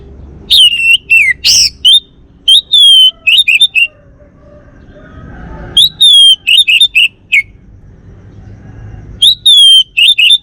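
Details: Male orange-headed thrush of the Bali form, kept in Singaraja, Indonesia, singing loud phrases of slurred descending whistles mixed with harsh notes, in three bursts separated by short silences.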